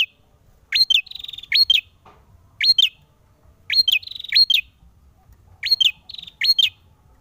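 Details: Male ashy tailorbird singing vigorously in fighting mode: bursts of high, sharp, buzzy notes, each phrase a quick rising chip followed by a rattling trill, repeated roughly every second in clusters, over a faint low rumble.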